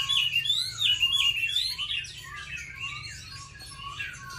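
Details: Singing against bulbuls, laughingthrushes and doves at a home in Hanoi, Vietnam, an oriental magpie-robin pours out fast, warbled, wavering whistles. Lower whistled notes repeat steadily beneath, and the song softens toward the end.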